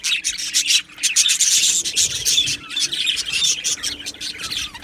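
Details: Aviary colony of budgerigars: continuous scratchy warbling at high pitch, packed with quick chirps and a few thin rising whistles, and a soft electrical hum in the background.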